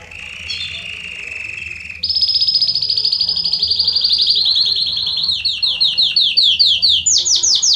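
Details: Belgian canary in full 'estourado' song, played to warm up another canary: a steady high whistled note, then loud fast rattling trills repeated in rapid pulses, with the pitch stepping down and then jumping higher again.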